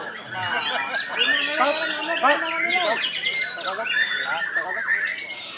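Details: White-rumped shama, a caged bird competing in a bird-singing training contest where it was a double winner: rich, varied whistled phrases with rising and falling slurred notes, delivered fast and continuously.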